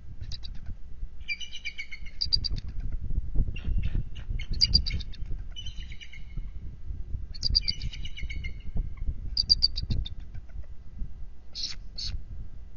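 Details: A bald eagle pair at their nest on the morning of 19 February 2023, on high alert after an intruder eagle's attacks, exchanging calls to check on each other. High chittering, stuttered bursts repeat every second or two over low wind rumble.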